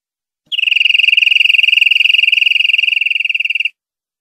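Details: Clean tutor recording of European greenfinch song, meant for educating caged birds: one fast, even, rattling trill on a single high pitch, lasting roughly three seconds, with silence before and after.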